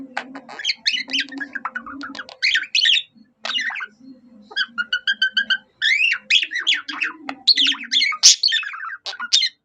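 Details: A budgie singing like a cockatiel, delivering long runs of rapid chirps and whistles broken by brief pauses, including a short evenly spaced trill of clicks midway, over a faint low room hum.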